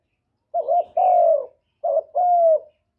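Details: Spotted dove in Vietnam giving a luring coo meant to stir up kept decoy doves. Two low phrases, each a short wavering double note followed by a long, smooth, slightly falling coo, in a clean, quiet background.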